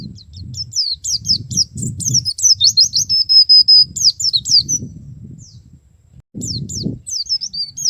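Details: Male white-eye in the wild, singing in forest style: rapid high thin twittering phrases of sharp slurred notes, a sustained shrill trill, a pause, then renewed twitters, over low rumbling background noise.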